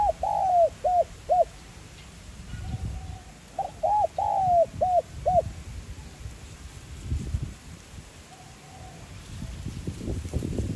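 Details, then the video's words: Spotted dove, 'giọng son' voice style, cooing to rouse decoy birds: two phrases of curled short notes and a long falling coo, then a faint distant coo and growing low noise. "Cu gáy GIỌNG SON Gáy Gọi + Thúc kích bổi nhanh nổi"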